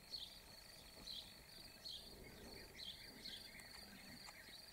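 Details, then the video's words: Calls of European bee-eaters recorded in Slovakia, 19 May 2019: clusters of brief trilled, liquid notes roughly once a second, set against a constant shrill cricket-like buzz. "Včelárik zlatý - Merops apiaster"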